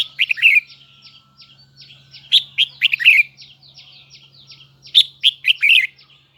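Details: Huế red-whiskered bulbul delivering high double-twisted song, loud warbled phrases of three to five slurred whistles recurring about every two to three seconds, linked by soft repeated chirps and a faint steady hum.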